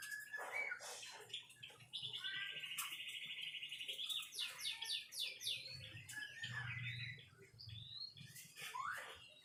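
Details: White-rumped shama in full song, mixing fast buzzy trills, sharp descending notes and varied chirps in a dense, uneven stream, with a low rumbling murmur in the background.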